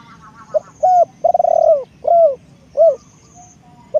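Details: Decoy spotted dove calling in a phrase of mellow coos, one short note, then a stuttering purr that swells into a drawn-out coo, then separate downward-bending coos, with soft distant twittering in the background.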